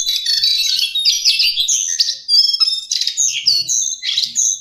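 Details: Lesser shortwing, known locally as cingcoang coklat, singing a dense, fast jumble of high, sweet warbled notes and quick slurred whistles, with brief pauses between bursts.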